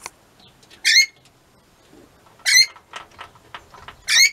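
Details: Captive pet rainbow lorikeets (Trichoglossus moluccanus) give three harsh, rasping screeches about every one and a half seconds, with softer chattering calls in between.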